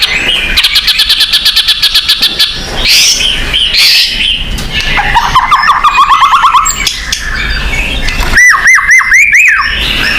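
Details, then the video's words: Lure of white-rumped shama song for birds kept at home: a dense, busy mix of rapid rattles and buzzy trills, then loud arched whistled notes near the end. "pancingan burung murai batu agar bunyi"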